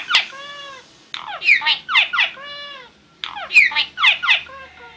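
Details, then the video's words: Starling song made of drawn-out nasal squeals with many overtones alternating with bursts of buzzy, grating chatter, the pattern repeating twice within a few seconds. "Starling Bird Singing"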